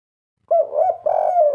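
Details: One loud, mellow coo phrase from a kept spotted dove, a wavering throaty note followed by a fuller, sustained coo that slowly falls away.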